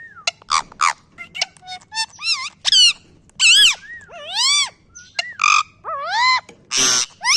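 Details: Parrot mimicking a dog's bark in a busy sequence of clipped, harsh yelps and swooping nasal squawks, about one sound every second, growing louder toward the end.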